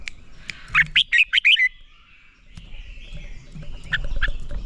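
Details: Red-whiskered bulbul training song meant to spur other bulbuls into fast, fiery fighting song: a quick burst of about six bright whistled notes, each swooping up and down, then quiet, with faint later notes and low background rumble.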